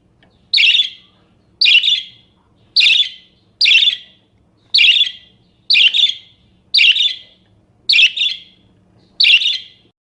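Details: Varied budgerigar song for tutoring or prompting other birds: short, scratchy chirp bursts repeated steadily about once a second, a few doubled, over a faint background hum.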